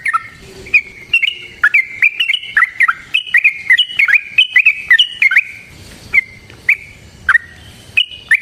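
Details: Yellow-vented bulbul fighting song, a lure to make other bulbuls sing eagerly: a rapid cascade of liquid, bubbling whistles that thins out into spaced single notes with sharp clicks.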